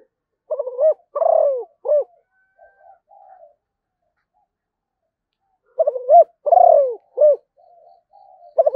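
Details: Zebra dove from Malaysia singing two matching phrases, each a burst of quick, stuttering coos ending in a longer, falling purr, then a soft trailing murmur, separated by about two seconds of silence.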